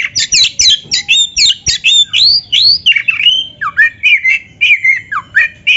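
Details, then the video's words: Caged Oriental magpie-robin in full vigorous song, its varied, imitation-filled phrases meant to stir rival birds to sing. Fast bursts of scratchy chirps give way to looping whistled slurs and lower dipping notes, each burst clipped and separate. "PANCINGAN KACER GACOR ISIAN"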